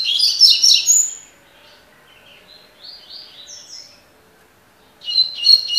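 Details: Double-collared seedeater singing tui tui (tocó): a loud jangling, rapid phrase, a run of soft rising and falling slurs, a brief pause, then another bright, fast trilled phrase.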